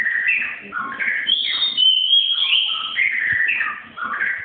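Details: Young white-rumped shama from Malaysia: a continuous run of warbled whistles, wavering between low and high pitches with short clear upward notes, over faint background noise.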